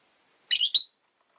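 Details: A single loud, grating double shriek from one of two rosy-faced lovebirds sitting together at an entrance, a long harsh note followed at once by a shorter one.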